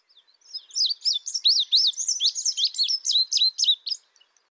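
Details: ['Indigo bunting: a fast, steady string of bright, high, down-and-up sweeping notes lasting around three and a half seconds against a quiet background.']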